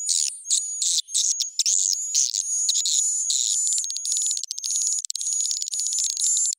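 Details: Edible-nest swiftlet attraction call, edited with higher pitch and tempo: near-continuous high buzzy twittering over a long steady whistled tone, with fast clicking pulses and few pauses.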